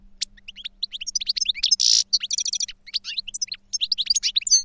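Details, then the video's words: Goldfinch song as a fast, continuous jumble of high tinkling chirps and slurred whistles, broken by a short harsh buzz and a rapid stuttering trill near the middle. "Goldfinch Song to Educate Newcomers to Their Call"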